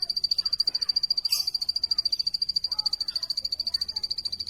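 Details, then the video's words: Plain prinia delivering a persistent, metronomic series of high, thin ticking notes, about three and a half per second, over faint background birdsong. "plain prinia bird chirping"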